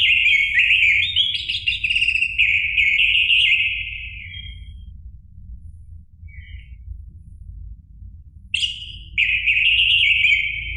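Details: Orange-headed thrush song in the loud ngeplong style, used to prompt a caged bird to sing. A long warbled, whistled phrase of about four seconds, a pause, then a bright new phrase starts. Low background hum.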